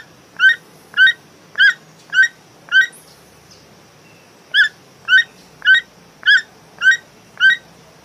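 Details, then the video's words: A toucan gives a run of five, then six, hoarse yelping notes, about two a second, over a low steady background hiss. "The strange sound of the toucan bird"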